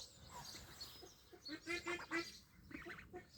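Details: Three loud, evenly spaced quacks from ducks at a Welsh duck pond on 23/5/26, set among softer, fainter calls before and after.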